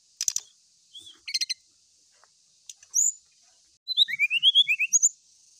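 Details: Brown-chested jungle flycatcher song seeking a rival: sharp clicks and a few short notes at first, then a lively burst of rising and falling whistles near the end.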